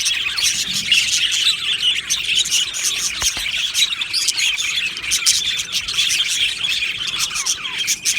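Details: Australian budgie colony in an aviary: lively overlapping chirps, quick squeaks and warbled tweets form an unbroken high chorus, with a faint low knock about a third of the way in.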